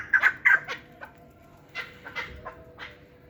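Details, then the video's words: Hybrid chukar partridge, a yearling fighting and hunting bird, gives a few loud clucking notes at the start, then softer, irregularly spaced chuk calls that fade out. "Кабки Гибрид"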